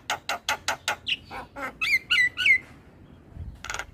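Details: Javan pied starling singing in the morning for young birds to learn from: a rapid series of harsh chack notes, then bright slurred whistles repeated three times, quiet, and a final raspy burst.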